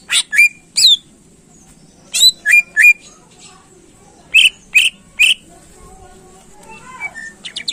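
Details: Greater green leafbird song aimed at exciting contest birds: loud sharp whistled phrases in groups of two or three separated by silent gaps, ending in faint soft chirps.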